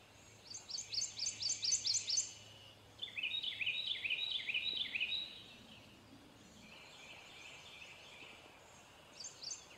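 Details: Male prothonotary warbler singing two phrases of about eight bright, ringing repeated notes each, the second phrase slightly lower in pitch, with a faint low hum underneath.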